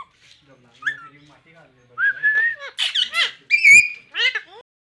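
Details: Talking pahari Alexandrine parakeet, a pet bird: a brief soft note, then a rapid string of loud hoarse word-like syllables, with rising whistled inflections and a sharp squawky phrase at the end.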